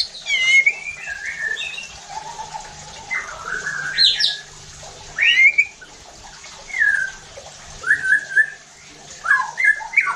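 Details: Provoking song of a white-rumped shama, used to make other shamas sing aggressively: separate bright phrases of sweeping whistles, some rising very high, others dropping, spaced by short pauses.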